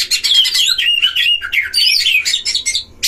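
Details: Oriental magpie-robin singing in a breeding aviary duel used to provoke other males: a continuous stream of warbled, sliding whistles and twittering notes, ending after a short pause with a brief burst.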